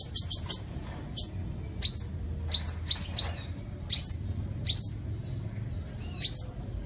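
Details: Sunbird song used as a bird lure: a quick burst of four high chips, then spaced sharp rising whistles about every half second to second, thin and piercing, over light low background noise.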